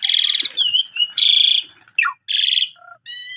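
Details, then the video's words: A Javan pied starling in full song gives grating, buzzy rasps broken by a short wavering whistle and a steeply falling note; a canary-tutoring lure recording. "Pancingan Jam 5 !! Jalak Suren Tio Gacor Isian Full Cocok Buat Masteran Burung Kenari"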